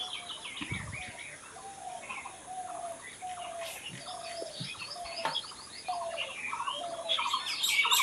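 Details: Birds singing outdoors: busy high chirps and trills layered over lower, steady whistled notes that repeat roughly every second, building into brighter, louder twittering toward the end.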